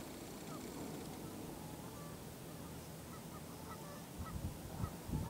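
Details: At Grand Forks, North Dakota, on 1 April 2013, about six migrant Canada geese grazing on grass exposed by melting snow give scattered short, nasal honks at an irregular pace, louder near the end, over a low rumble.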